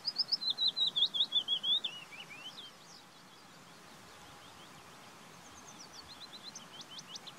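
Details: Willow warbler singing, the clip opening with the loud end of a descending phrase of sweet slurred whistles that trails off, then quieter, more distant high slurred notes near the end against faint background noise.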